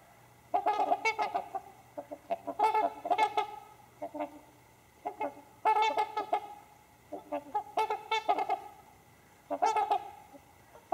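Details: Trumpeter Swans settling for the night trade nasal, horn-like honks in short clustered bursts every second or two, several birds overlapping in a quiet setting.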